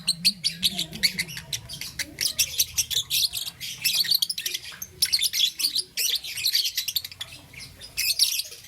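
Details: Morning chirping from a young peach-faced lovebird, green and yellow: dense runs of rapid, shrill chirps and short squeaks, nearly continuous with brief gaps, over a soft low background hum.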